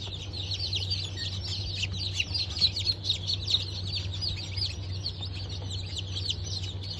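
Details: Freshly hatched Bantam Cochin and Sussex chicks, 3 November 2024, cheep in a crowded chorus of high descending chirps, roughly two per second standing out, with a steady low machine hum below.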